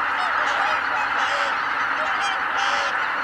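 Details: A flock of greater white-fronted geese lifting off together at Kabukuri-numa, 12 January 2019. Many overlapping, laughing honks rise and fall over a continuous roar of massed calling.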